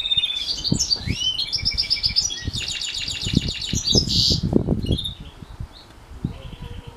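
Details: House finch x canary hybrid during morning bird training; fast warbling song of varied high trills, rattles and buzzy notes for about five seconds, fading to sparse soft chirps, with low thumping knocks throughout.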